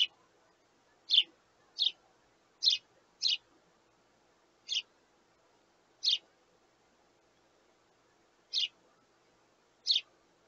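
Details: Sparrow chicks begging their parents for food: short, high, harsh chirps at uneven intervals, eight bursts over ten seconds, with long quiet gaps between and a faint low hum beneath.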